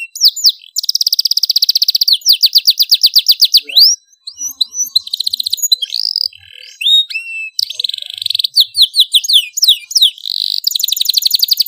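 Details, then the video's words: Loud domestic canary song meant for tutoring young birds: fast rattling trills, sliding whistled notes, brief pauses, then renewed high buzzy rolls. "kenari GACOR suara LANTANG cocok untuk MASTERAN dan PANCINGAN kenari BAHAN dan Paud"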